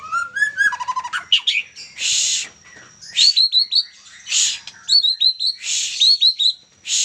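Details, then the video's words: Juvenile white-rumped shama of the Medan type in sustained song, opening with warbled whistles and a rapid trill, then alternating rough buzzy bursts with series of bright upslurred whistled notes repeated about four times each. "Murai batu medan lepas trotol ... Gacor juara"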